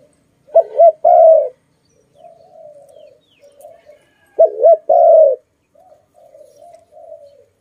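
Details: A pet dove with a very loud voice gives two loud, low, wavering coos about four seconds apart, each followed by softer, drawn-out trailing coos, with no other sounds.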